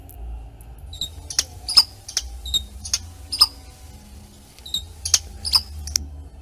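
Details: A violetear hummingbird gives its call, not a true song: thin, high, squeaky chips, repeated two or three times a second in an uneven series, over a faint low hum.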